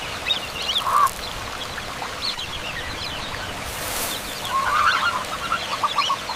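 An Indian peafowl gives a short nasal honk, then a quick run of several harsh, honking notes a few seconds later, over a soft background hiss.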